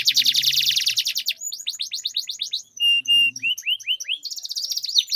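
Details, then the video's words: Dueling canaries in long rolling song: a buzzy rattling trill opens, followed by rising whistled swoops, a short low buzzing interlude with flat high tones, then fast repeated chirps. "Duel Burung Kenari Suara Merdu Ngerol Panjang || Pancingan Ampuh Kenari Macet Gacor Ngerol Panjang"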